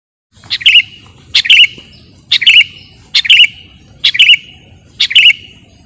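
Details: Sooty-headed bulbul song from a recording meant for luring or tutoring birds: short bubbly phrases, each a sharp note then a quick warbled pair, repeated about once a second, six times, over faint low hum.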